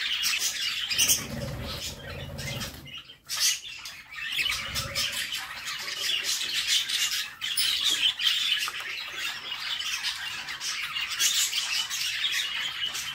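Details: A female budgerigar feeds chicks in a nest box; the young produce a long, dense chorus of buzzy, rasping squawks, briefly quieter after three seconds, with muffled bumps and shuffling during the first few seconds.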